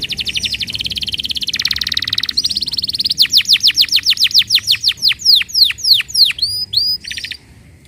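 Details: Lure song of a canary, played to coax a non-singing canary into song: a dense high buzzy trill shifting pitch twice, then loud repeated descending whistled sweeps, several per second, ending abruptly.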